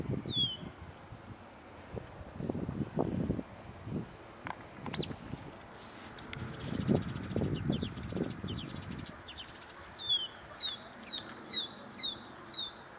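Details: Bluethroat song recorded on 9 April 2015: low rumbling noise fills the first part, then near the end a series of six clear, downslurred whistled notes repeats about every half second, after one earlier similar note.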